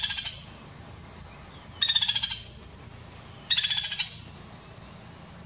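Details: Three brisk, dry rattles of rapid repeated notes come from a white-naped woodpecker at Kanha National Park, Madhya Pradesh, India, spaced roughly under two seconds apart. A ringing insect chorus runs throughout.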